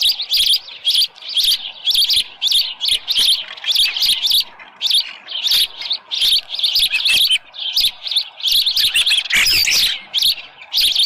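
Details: Morning at the Dunrovin Ranch osprey nest, 24 July 2018, with a headless fish. Long, regular sequence of sharp whistled chirps, roughly two or three each second, with a burst of louder harsh notes late on.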